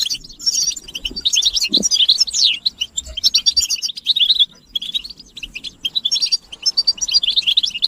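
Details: European goldfinches in a motivational chirping chorus of mating calls: sweet, rapid twittering with sliding notes and buzzes keeps going, broken by one short pause halfway.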